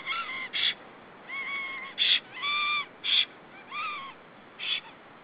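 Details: Black stork arriving back at its nest in Estonia, seen on a nest camera on 16 April 2013. It gives about seven short, nasal, harmonic calls in five seconds, some slightly falling, mixed with brief harsh bursts, over steady background hiss.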